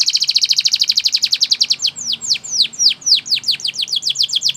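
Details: Training song from a Belgian canary, made of fast repeated high notes that run as a rattling trill and then become a series of clear descending swept whistles, each about a quarter second apart.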